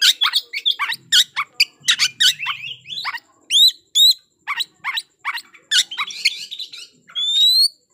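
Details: Fighting lure song of an Oriental magpie-robin, used to provoke rival males: fast, sharp, high whistles and chips in a varied run, broken by a few clear rising slurred whistles.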